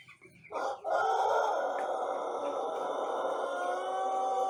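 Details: Morning crow of a young Pelung rooster, one month into learning its voice, crop empty and fed ordinary bran; a loud sustained, rich-toned crow starts abruptly after half a second and stays steady to the end.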